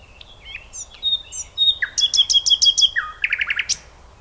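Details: Nightingale song with soft introductory whistles, a dropping slur, then a fast string of repeated notes held on one pitch, followed by a lower burst of rapid chattering strokes.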